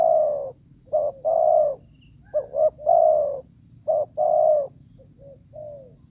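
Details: In the cold rainy season, a Spotted Dove (tekukur) coos at a decoy trapping site. Mellow low calls come in bursts, with short notes and long sliding coos close together. A quiet trailing note closes the clip over a steady electronic whine.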